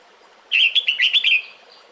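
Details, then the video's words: A female red-whiskered bulbul calls to the male during the breeding season, giving one quick run of about six clear, chirpy whistled notes in under a second against faint background hiss. "Tiếng Chào Mào Mái Gọi Trống Mùa Sinh Sản"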